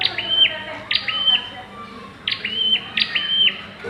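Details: Calls of a bar-winged prinia in the pairing stage: loud sharp notes, each ending in a level buzzy trill, given in two close pairs separated by a pause.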